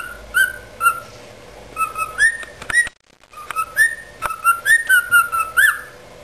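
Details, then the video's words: Cockatiel giving the species' original song: a string of clear, mid-pitched whistled notes, some rising and some slurred, with a brief pause in the middle. "Calopsita canto da especie ORIGINAL"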